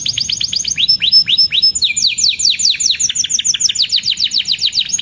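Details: Canary singing, played as a master song for young canaries: rapid descending chirps rolling into overlapping whistled phrases, lively and continuous throughout.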